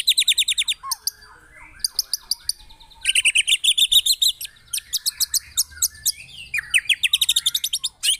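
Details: White-rumped shama song used as a lure to provoke other birds: loud, rapid series of high chattering notes in fast repeated bursts, interspersed with lower whistled slurs, about three notes per second.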